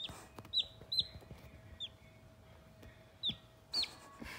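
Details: Few-days-old Sultan chicks, a rare pure white crested chicken breed, at play; scattered high, thin downslurred peeps, single or paired, over a quiet background with a faint constant hum.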